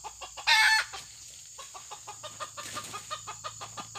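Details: Red junglefowl recorded during trapping, with a decoy luring wild birds: one loud, brief, harmonic call near the start, then a long run of soft, rhythmic clucking pulses about every fifth of a second, over a steady high insect hum.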